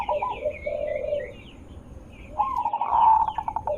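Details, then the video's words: Zebra dove cooing played to lure other zebra doves into replying: a soft, low rolling coo, a pause, then a louder stuttered coo phrase, while thin high chirps from another small bird run above. "Suara Besar Merdu ampuh untuk pancingan burung perkutut"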